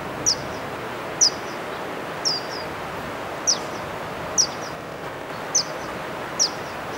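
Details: Verdin at Barstow Community College, Barstow, California, March 2015, giving a series of seven crisp, high-pitched chips, each a quick downward flick, repeated roughly once a second against constant faint background rumble.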